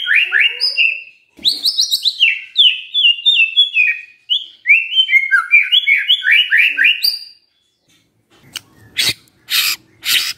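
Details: Morning lure song of a white-rumped shama for prompting a silent shama: a long, rapid medley of slurred whistles and descending trills, then a pause and several loud broadband knocks.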